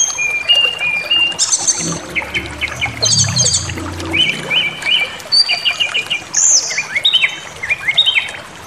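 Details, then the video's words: White-rumped shama song meant to stir other birds to anger: bright whistled phrases, repeated stuttering notes and high slurs, with a low rumbling noise in the background for a couple of seconds. "Pancingan Emosi SRDC Awas Ikut Ngamuk Bongkar Materi"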